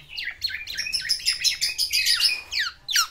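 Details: Caged black-naped oriole, a male courting a female, singing its full varied song: dense run of rapid high chirps and slurred downward notes, bursts close together over three seconds, clear and loud indoors.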